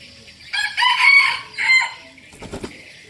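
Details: Red junglefowl kept as a decoy bird gives a crow in two parts: a long strident phrase, then a shorter tailing note, followed by brief clattering noises.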